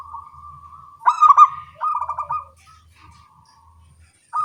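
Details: Small-voiced local zebra doves calling back and forth at morning time: a loud stuttering coo, then a second pulsed phrase, a pause, and a new phrase starting at the end. A faint low hum runs beneath.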